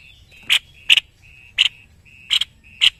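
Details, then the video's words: Energetic song from a caged white-necked babbler used as a tutor bird in Indonesia: five loud, bright chips at uneven intervals, each joined by a thin sustained whistle in between. "BURUNG MASTERAN GACOR SEPERTI INI.JENIS TEPUS LEHER PUTIH"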